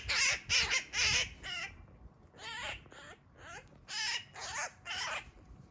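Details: A Eurasian magpie gives loud, harsh, rasping squawks in quick bursts, four in a row, a pause, then three more, in a backyard during a roughly 15-minute attack by a Eurasian sparrowhawk, later joined by a second magpie.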